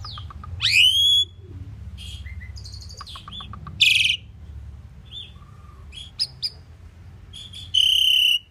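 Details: Common pied myna, also called Indian maina, singing: a loud rising whistled note, then scattered chattering and clicking notes and short squeaks, ending with a sustained harsh buzzy phrase; low background rumble throughout.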